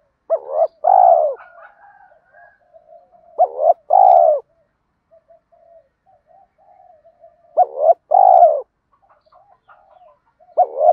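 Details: Repeated gáy gọi calling of a spotted dove, used to stimulate doves in training: loud two-part hooting phrases about every four seconds, with quiet murmured coos filling the gaps.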